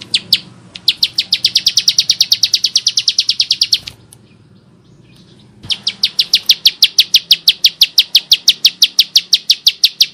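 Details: Bar-winged prinia in vigorous, rough-toned song. Two long bursts of quick, evenly spaced high ticking notes are broken by a silent gap of nearly two seconds, and the second burst grows slightly more spaced.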